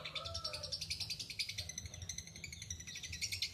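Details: Lovebird in long ngekek chatter: dense, buzzy high twittering pulses repeated rapidly, with a brief lower squeaky whistle at the start.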